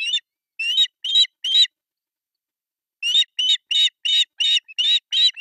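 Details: Nest-camera recording from Pohjois Satakunta, Finland, July 1, 2024: three osprey chicks begging at breakfast feeding on an artificial nest. Four piercing chirps, a silent gap of over a second, then a quick series of about eight more.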